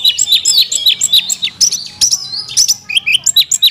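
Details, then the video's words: Oriental magpie-robin, a kept kacer, pouring out an isian song: fast, varied high chirps and whistles, about four per second, mixing clipped notes with thin sliding whistles. "kacer isian mewah"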